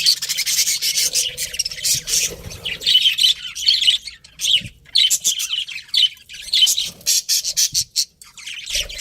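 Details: Pet budgerigars, a breeding pair, chattering in choppy high bursts of squawky chirps, separated by short silent gaps, with a few soft knocks.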